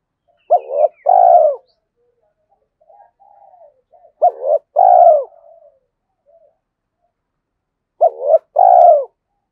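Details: Spotted dove used as a decoy, calling to lure wild doves; a short two-note opening then a long purring coo, repeated three times about every four seconds, with faint soft notes between.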